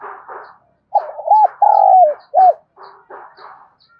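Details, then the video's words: Spotted dove used as a lure to provoke wild rivals, giving one cooing phrase: short paired hoots, a drawn-out rolling coo that dips at its end, a last arched note, with scattered chirps before and after. "tiếng cu gáy Mồi gáy gọi, tiếng gáy gây ức chế cho bổi rừng và mồi cực gắt"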